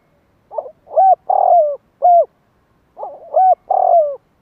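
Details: Spotted dove calling to stir up wild doves. Two clean phrases, each a soft stuttering start, two short coos and a long buzzy descending note, separated by a brief pause in silence.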